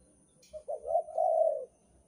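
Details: Spotted dove lure call, Banten style, from Indonesia: one low cooing phrase that opens with short soft notes, then swells into a long rolling coo and fades. A faint steady high whine runs underneath.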